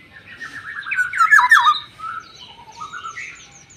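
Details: Black-naped oriole with a yellow head, said to be fierce, gives a scratchy chatter of rapid nasal notes sliding downward. A second, softer descending phrase follows, with faint high chirps at the end.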